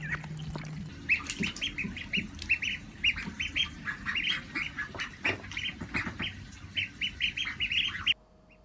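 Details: A female call duck kept as a pet at a school in Saitama, heard through a window: loud, harsh, nasal quacks repeated in rapid bursts of two to four notes, continuing steadily for about eight seconds before stopping abruptly.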